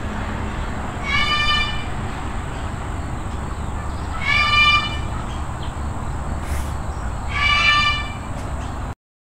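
Three loud, harsh, raspy squawks of a Military macaw, each about half a second, spaced roughly three seconds apart, over a steady low rumble and a thin high hum.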